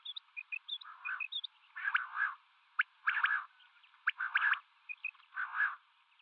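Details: Common quail (batair) calling, female and male calls mixed: quick clusters of sharp, liquid notes about once a second with thin, high chirps; narrow, tinny recording.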